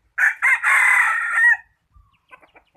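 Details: Decoy chicken used for catching birds gives one loud, harsh crow of about 1.4 seconds, starting with two short bursts before a long sustained note, then quiet with faint small chirps afterward.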